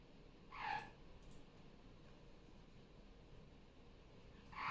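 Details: A female pet superb (Barraband) parrot, just off her nest on a Sunday morning, gives two brief, harsh, mid-pitched squawks nearly four seconds apart over a low steady hum, with parrot videos playing on a tablet in the background.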